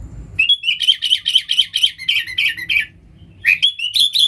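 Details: Sooty-headed bulbul song for calling in wild bulbuls: a rapid, rhythmic string of bright chattering notes, a brief pause, then a rising bubbly whistled phrase; faint low rumble at the start.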